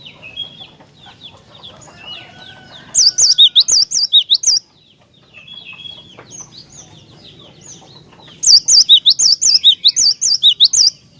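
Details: Loud cinereous tit song meant to provoke other tits: two strong bursts of rapidly repeated, high, sweeping two-part whistles. Quieter chirps and a thin drawn whistle from other birds fill the pause between them.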